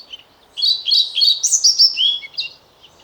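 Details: European pied flycatcher singing: a brisk, high phrase of sweet, repeated two-note chirps, rising to a sharp peak and then dropping to a lower, buzzy ending. A short pause comes before a final note, over a quiet background.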